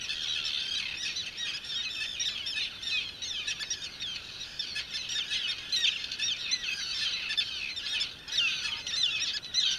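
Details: Breeding common terns on Great Gull Island, adults captured at their nests; many birds call at once, making a steady wash of rasping, high calls that swell and fade over ten seconds.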